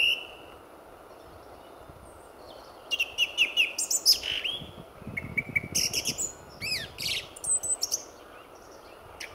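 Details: Song thrush male pouring out song at dawn, sun about to rise, RSPB Fowlmere in February 2014, reserve full of singing thrushes; a clear note repeated three times, then rapid clicks, rising whistles and a varied run of short phrases.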